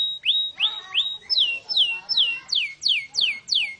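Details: Canary giving clear whistled phrases: level whistles first, then repeated notes that leap up and slide steeply down, about three per second, rich and ringing.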